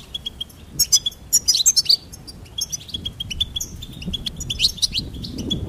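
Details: Goldfinch song of sharp, high tinkling notes in clustered bursts, several loud strong notes around one to two seconds, then steadier repeated chips continuing to the end.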